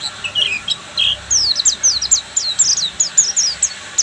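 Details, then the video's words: Oriental white-eye of the Buxtomi type singing in the full ngeriwik style: thin, very high chirps, first scattered, then a fast run of sharp descending notes slurred together over the last two and a half seconds. "PLECI BUXTOMI FULL NGERIWIK"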